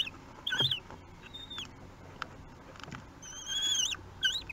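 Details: Kestrel nestlings, three weeks old, begging at feeding time in Théding, France, 8 June 2021; scattered high whistled squeals, one long wavering cry near the end, with soft knocks and rustling between.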